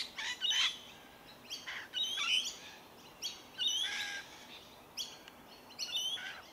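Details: Rainbow Lorikeets, medium-sized Australian parrots, feeding on tree violet berries in Melbourne, Victoria, January 2021; grating screechy notes come in bursts roughly every second, with short whistled squeaks mixed in.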